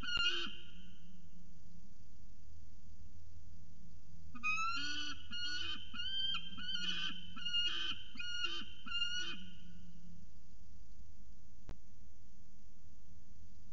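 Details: Peregrine falcon with a lot to say: a series of harsh, loud, rasping calls repeated in quick succession for several seconds after a quieter opening note, over a steady low hum.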